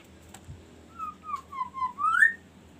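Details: Kaso kaso bird giving varied song to prompt other birds to sing: a string of short clear whistles dipping lower, then ending in a louder rising slur.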